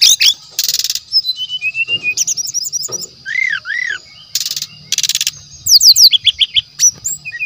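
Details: Brown-chested jungle flycatcher from the wild forest, song kept as a lure: dense buzzy bursts, soft high chattering, two arched whistled notes, and rapid descending note series near the end.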